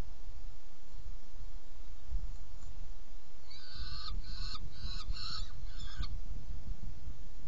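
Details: Saker falcon calling at its nest box during feeding, recorded 17 June 2018, 10:31; a rapid run of five or six rasping, harmonic-rich calls in the second half after quiet, with steady low background hum.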